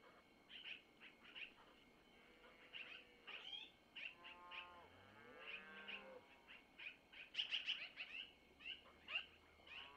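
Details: Nest-cam recording, 25 April 2024 at 05:05 Missoula time: Long-eared owl owlets being fed by their mother with food taken from the male, giving scattered high squeaky begging notes, some rapid clusters, and a few drawn-out lower wavering sounds midway.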